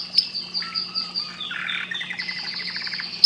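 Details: Canary in full song, a rapid run of sweeping whistles and stuttered, rolling notes that change pitch from phrase to phrase, set against a quiet steady hum.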